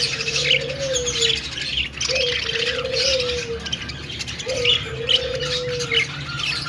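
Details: An aviary flock of budgies in a pet store chatters busily with high chirps, while deeper drawn-out gliding notes repeat about every two seconds and a low hum runs throughout.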